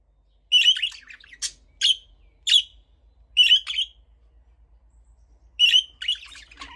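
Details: Budgie giving clear, clean chirps in small groups separated by short silences, each note sharp and high, with a few warbled, slurred notes in between and near-silent background.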